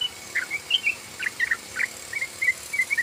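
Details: Short run of yellow-vented bulbul ropel song, used as a lure: about a dozen slurred, whistled chirps in three seconds, moderately loud, with a thin steady tone and light hiss behind.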